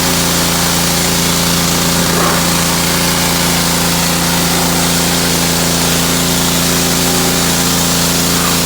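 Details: The constant, droning roar of an engine-driven pressure washer continues without break.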